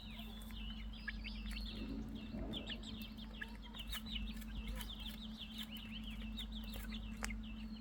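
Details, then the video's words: A crowd of young chicks peeping continuously, with high, short, downslurred chirps overlapping throughout and a constant low mechanical hum in the background. "beautiful chirping sounds of chick's مرغی بچوں کے خوبصورت آواز"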